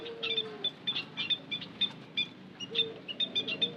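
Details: White-headed munia lure sound: evenly spaced high, piping chirps about four per second, plus a couple of low, slightly falling whistled notes.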